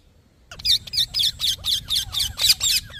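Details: Parrot breaking into a rapid run of short rasping chirps, about four per second, after a brief silence.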